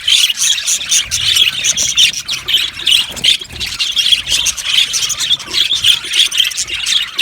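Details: Budgerigars in an aviary colony chirping together, a dense, continuous wash of rapid high chirps and squawks with no pauses, many birds overlapping throughout.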